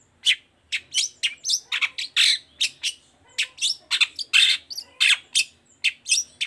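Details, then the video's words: Chatty long-tailed shrike song played to set silent shrikes singing: a steady stream of high, scratchy chirps and harsher squawks, several each second. "Suara Cendet Gacor Toet toet"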